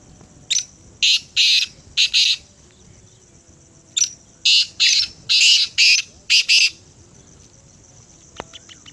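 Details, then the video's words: Kala teetar, the black francolin, calling twice in succession: each phrase is a string of loud, scratchy, buzzing bursts with a short lead note and closely paired final notes, separated by a pause of about a second, with faint clicks afterward. "Kala teetar ki awaz Black Francolin Voice"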